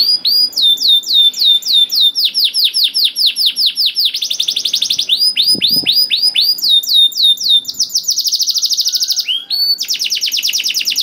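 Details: Canary singing, used to provoke other canaries to sing: loud, fast trills of repeated downward-sweeping whistled notes, switching between rolling phrases and buzzy sustained tours, several notes per second.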